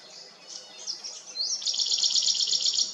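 Blyth's reed warbler gives a rapid, high chattering phrase, starting with a few thin notes, then a dense, buzzy run of repeated elements.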